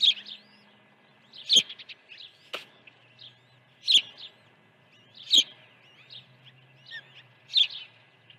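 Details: During early feeding at a Dunrovin Ranch nest on 1 June 2019, an osprey gives piercing high chirps about every one to two seconds. Faint slurred whistles run between them over a low background hum.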